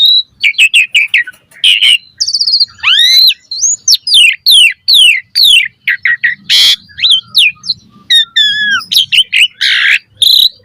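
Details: Lively Asian pied starling song used to coach birds into singing: hurried chips, a buzzy trill, rising and falling slurred whistles in quick succession, one harsh noisy burst midway, and stuttering notes toward the end.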